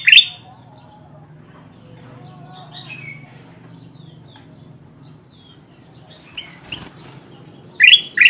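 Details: Kutilang emas bulbul calling as a trapping lure for wild birds: long quiet stretch with faint twittering and a brief burst of rustling, then two loud, sharp rising chirps at the very end.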